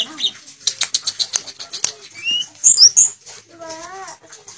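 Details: Sulingan, also called tledekan, singing in the fluting style, a bird known for copying the notes of other birds: dense clicks and ticks, then shrill high squeaks, ending in a set of clear sliding whistles.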